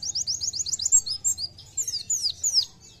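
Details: Vigorous 'nembak' singing by an Oriental white-eye: a quick string of about eight identical high chirps, then swooping and downslurred whistles that rise and fall, with a low murmur behind.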